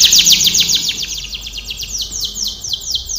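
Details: Singing canary used as a training song, delivering a fast steady trill of descending high notes, around four per second, gradually slowing slightly toward the end.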